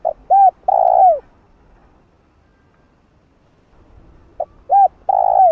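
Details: Spotted dove giving its calling coo, used to stimulate and train a decoy bird: two low, mellow three-part phrases, with a short note, a short coo and then a longer drawn-out coo, separated by about three seconds of quiet.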